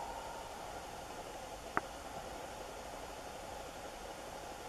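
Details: Steady hissing background noise with a single short sharp click midway, no animal voice.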